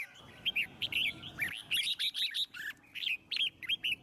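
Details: Red-whiskered bulbul singing in its wild forest voice to prompt other birds to sing: clear, loud, rapid phrases of slurred, lilting whistled notes, repeated in quick bursts with short pauses between them.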